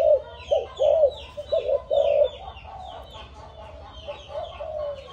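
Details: A seven-month-old Malaysian-line spotted dove, offspring of a stuttering decoy bird, gives several low coos early on, then fades to softer notes while small birds keep chirping.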